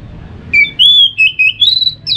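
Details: Clear whistled phrases of an orange-headed thrush, played to encourage other birds to sing in the morning, with sustained and gently dipping notes followed by a rising whistle.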